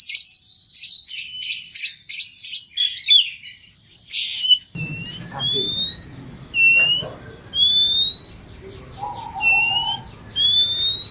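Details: Oriental magpie-robin (kacer) in gacor full isian song: a fast run of high chipping notes, then a steady series of clear upward-rising whistles about once a second over a low background murmur.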